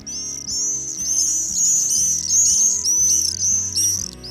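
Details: Common swifts, Polish birds, give shrill, high, buzzy screams in overlapping bursts, about two a second, over soft background music.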